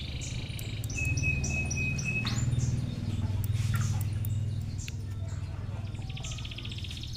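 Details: Five-day-old crimson sunbird chicks being fed; thin, high squeaky chirps in quick bursts and a steady whistled tone early on, all over a strong low rumbling hum.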